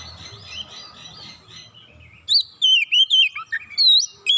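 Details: Oriental magpie-robin singing to provoke rival magpie-robins: soft, busy warbling at first, then from midway loud ringing whistles that rise and fall, given in quick separate bursts with a high squeaky note near the end.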